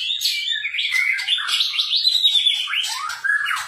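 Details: White-rumped shama in full gacor song, 2021: a loud, unbroken run of bright whistled phrases rising and falling, with quick trills and a slurred descending note near the end.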